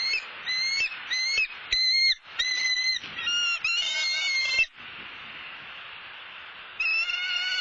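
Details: Female bald eagle at a Southwest Florida nest, flying right behind the male as he delivers a whole fish. She squawks in short bursts of high, harmonic squealing notes over a steady background hiss.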